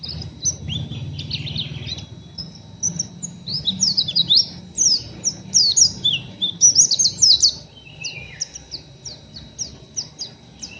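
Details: Young, still-untrained oriental white-eye giving rough, scratchy chattering: rapid high-pitched chips and short twittering notes in uneven bursts, growing denser midway and then thinning to spaced single chips, over a faint low background hum.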